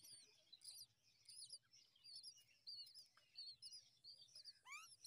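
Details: Common myna chicks begging eagerly as their mother feeds them worms at the nest; dense, high, thin chirps overlap in rapid bursts, with a few downward-sweeping squeaks near the end.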